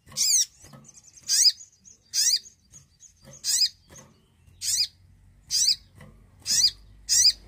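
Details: Javan cochoa song played to coax quiet birds into singing. Sharp, harsh downslurred notes repeat roughly once a second, eight in all, with faint thin whistles between them.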